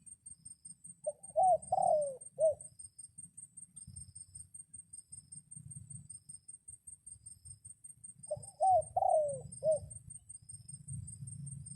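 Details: Crowing of a decoy red junglefowl calling wild birds while rain is around; two clipped four-part crows with the longest third note sliding downward, spaced several seconds apart over soft low noise.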